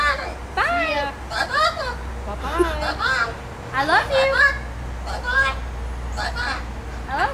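A macaw talks in short, harsh, speech-like bursts of a few syllables each, with phrases like "pretty girl" and "bye", over a steady low hum and faint voices.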